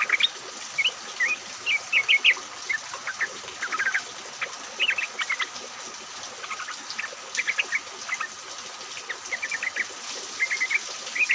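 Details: Several yellow-vented bulbuls chattering together in rain, a lure recording meant to prompt other bulbuls to sing: clustered liquid chirps and warbled phrases in irregular bursts over a steady hiss.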